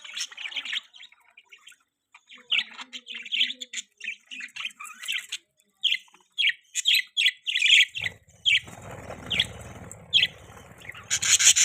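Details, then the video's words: Budgerigar chirping: a series of short, sharp chirps repeated about twice a second, some doubled, followed by rustling noise and a final burst of chatter. "Budgie Chirping sound"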